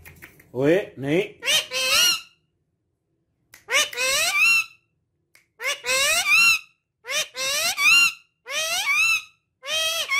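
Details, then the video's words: Talking parrot producing bursts of rich, harmonic chatter in short phrases separated by pauses, each burst full of rapid rising and falling inflections like mimicked speech. "My Amazing Talking Parrot"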